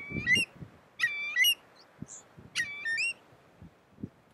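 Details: At Spiggie, Shetland, UK, in July 2013, a Eurasian curlew of subspecies arquata gives three quick rising two-part calls about a second apart; a faint thin high note and low background rumble are also present.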